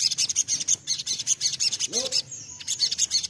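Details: Sunbird singing as a lure to draw other birds into song: continuous very high, sharp chirps and twitters in quick succession, briefly broken midway by a faint lower sliding sound before the high twittering resumes.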